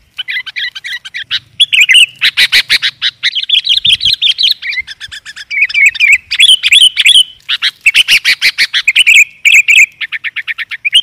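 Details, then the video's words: Sooty-headed bulbul (Pycnonotus aurigaster) in lively, nonstop chattering song used as a lure call: rapid bubbly notes and short trills at mid-high pitch, phrases tumbling one after another with brief pauses. "SUARA BURUNG KUTILANG GACOR"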